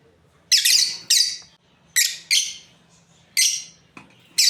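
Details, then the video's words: Shrill, scratchy chirps from a lovebird breeding pair, coming in pairs with brief pauses between, a low background hum underneath. "Beautiful lovebirds chirping sounds | Amazing breeding pair"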